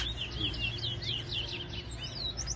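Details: Caged towa towa singing in a bird race contest at a bird ground in New Amsterdam, Guyana, 2022, with songs counted: rapid repeated whistled, slurred phrases, bright and high, continuing throughout over steady low background hum.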